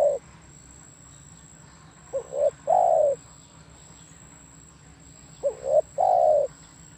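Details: Spotted dove cooing: the tail of one phrase, then two full phrases about 3.3 seconds apart, each with short rising notes leading into a long, smooth, descending coo.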